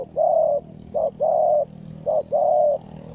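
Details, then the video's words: Spotted dove in a decoy trapping session against a wild bird; clear mellow coos, each a short note followed by a long level coo, repeated three times in quick succession. "นกป่าดุมาก เสียงดี มีคารม มีเปลี่ยน มีหนุน"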